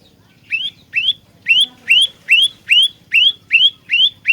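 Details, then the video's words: Olive-backed tailorbird used as a trapping lure and fighter: loud, sharp upslurred notes rising to a high whistle, repeated steadily about two and a half times per second. "Burung Prenjak Lumut Pikat Gacor Fighter"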